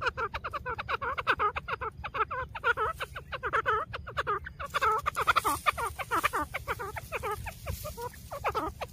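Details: Grey francolin feeding in the jungle: a dense, rapid series of short clucking chirps, many per second, continuing without a break.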